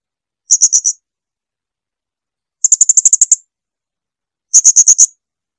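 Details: Blue-crowned hanging parrot song used to tutor pet birds: three separate bursts of quick, sharp, very high-pitched notes, with four, about ten, then five notes, separated by long silent gaps.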